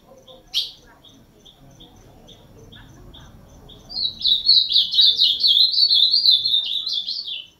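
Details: Ultramarine grosbeak, a bird called 'azulão máquina' by its keeper: a single sharp chip and faint ticks, then a rapid warbled phrase of bright notes from about four seconds on, continuous and slightly falling at the end.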